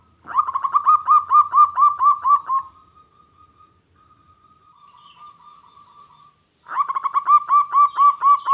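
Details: Zebra dove, a local bird, singing to stir wild doves into aggressive replies: long bursts of quick, evenly spaced bubbling coos, about five per second, split by a soft sustained tone.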